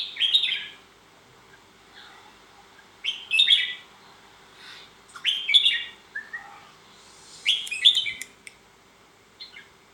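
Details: Red-whiskered bulbul singing short, bright, warbled phrases, each about half a second long, with rising and falling notes, repeated roughly every two seconds in a quiet setting.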